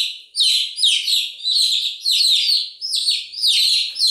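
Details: Baby chickens chirping continuously in a loud, tight chorus of shrill, descending peeps, grouped in swells roughly every half second with no other sounds.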